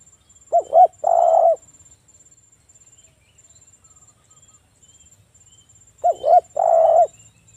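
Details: Spotted dove, a local bird in active song, used as a call lure for other doves: two short hooked notes then a broad sustained coo, repeated once after a long silent gap, with a faint steady high tone throughout.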